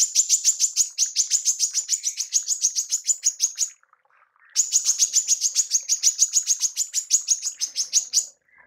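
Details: Female manggar tembakan call used to train songbirds: two long strings of quick, high, piercing chips, each nearly four seconds long, separated by a short silence.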